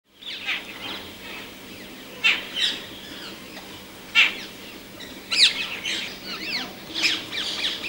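Rose-ringed parakeets give harsh, shrill screeches in short bursts every second or so, over a busy background of other high chirps.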